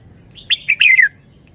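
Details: One phrase of Thai wild-style (phleng pa) song from a red-whiskered bulbul: a quick run of loud whistled notes that sweep down in pitch, lasting about half a second, with a soft note before and after.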